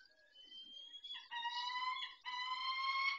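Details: Male peregrine falcon tending the females at the nest at 19:40 on 23 May 2021; a rich, nasal, steady wail rises out of a thinner note and runs on with short breaks.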